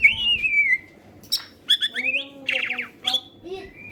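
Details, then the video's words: Greater green leafbird, medium-grade kept bird singing actively, used to lure other birds into song: a slurred falling whistle, then bursts of varied whistles, a rapid rattling buzz and sharp chips with pauses between phrases. "cucak ijo medium gacor cocok buat pancingan"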